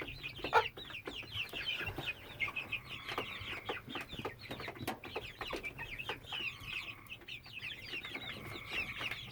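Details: A 10–12-week-old hen (Gallus gallus domesticus), otherwise acting fine, gives a constant run of short, high, squeaky peeping notes, several per second, begun on 22 May 2017 and unceasing; owner unsure whether it is normal. Other fowl murmur faintly behind.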